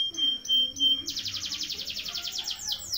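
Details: Canary long-roll song used as a tutor for young birds: three clipped whistled notes, then a fast pulsing trill and down-slurred sweeps.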